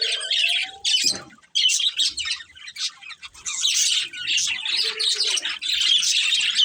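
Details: A breeding pair of pet budgies gives bursts of bright squawky chirps and rapid warbling chatter, pausing briefly between bouts; a faint steady low whistle-like tone and a short thud appear early on.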